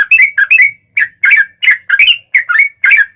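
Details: Sooty-headed bulbul singing vigorously in ropel style, intended to draw replies from other bulbuls: continuous paired and tripled chirpy notes, rising and falling, delivered in quick succession with brief gaps throughout.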